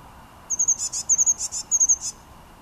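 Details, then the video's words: Blue tit singing in Münchenstein, Switzerland, in January 2013: three quick phrases, each a few very high, thin, sharp notes followed by two or three fuzzy, buzzy trill notes. Background otherwise quiet apart from a faint steady hum. "Blue Tit - Blaumeise - Parus caeruleus singing"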